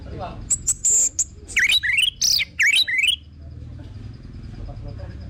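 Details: Orange-headed thrush singing, a recording meant as a lure to get birds singing steadily: high thin whistles followed by a quick burst of bright, looping slurred phrases dipping and rising, ending abruptly after three seconds, then quiet.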